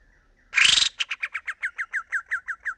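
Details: Sooty-headed bulbul, a young bird practising varied song: a loud rasping rising burst followed by a rapid even series of about fourteen short downslurred notes.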